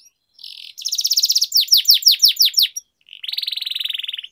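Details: Canary training song with long rolls: a buzzy trill leading into a pulsed rolling trill, a series of descending whistled notes, then another long even trill.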